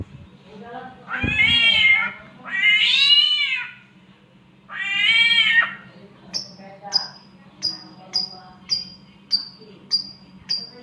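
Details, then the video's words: A samyong bird imitates a cat in mating: three long, drawn-out, wavering meow-like wails, then a run of short, sharp high chirps repeated about every half second. "SAMYONG MENIRUKAN SUARA KUCING KAWIN"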